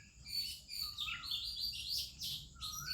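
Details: Morning song of an Oriental magpie-robin in India, among other singing birds: dense, bright, warbled notes tumble together, broken by a lower drawn-out whistle that sweeps up and then down, with a background murmur.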